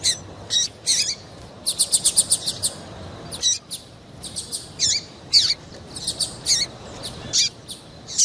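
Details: Female double-collared seedeater piping to excite a male to sing: bright, squeaky chirps and quick repeated note series, some notes sliding downward, delivered in lively irregular bursts.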